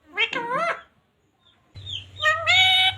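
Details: Pet parrot, said to talk phrases such as radhe radhe, jai shree ram, sita ram and mummy papa: two short harmonic, voice-like utterances with a pause between, the second longer and rising, over a low steady indoor hum.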